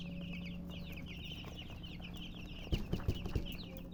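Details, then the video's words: Baby chicks chirping busily, a dense chorus of quick, high, down-slurred peeps, with a short burst of soft thumps toward the end over a low hum. "Baby "Chicks Chirping" Sound"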